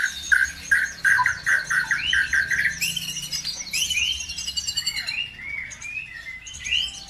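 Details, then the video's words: Bird song played to provoke other birds to sing: a run of quickly repeated, evenly spaced chirps, then varied upslurred whistles and twittering phrases, over a faint low hum. "PANCINGAN SUPER AMPUH CUKUP HITUNGAN DETIK LANGSUNG NYAUT BIKIN EMOSI BURUNG NAIK IKUT GACOR"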